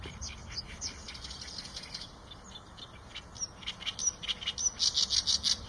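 Eurasian tree sparrow giving sharp, high chirps about three a second, growing louder and busier toward the end, over a thin steady high whine.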